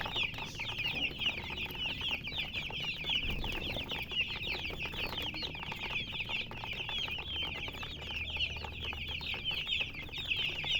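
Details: Chicken chicks chirping as a dense chorus: many overlapping high, short peeps, each slightly falling, run continuously without pause over a faint low rumble.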